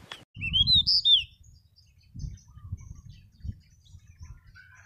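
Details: Pied bushchat from Pakistan giving one short, bright phrase of high slurred chirps lasting about a second, followed by low thumping and rustling noise.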